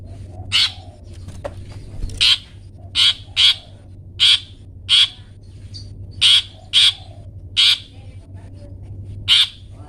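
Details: Tutor recording of a long-tailed shrike giving 'toet toet' material for pet birds to copy: a dozen rasping, scratchy blasts, some in quick pairs, others spaced a second apart, above a constant low droning hum.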